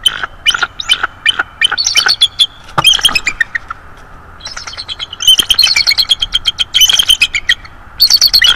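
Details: A young bald eagle of roughly three to four years visits a nest on 19 December 2022 and calls with rapid, high, squeaky chattering notes in long runs. The runs are denser and more continuous, with brief quiet gaps.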